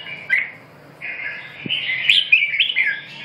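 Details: Red-whiskered bulbul with lively, chattering song: a short chirp, then a sustained string of bubbly, rising and falling whistled notes, with a faint low hum behind.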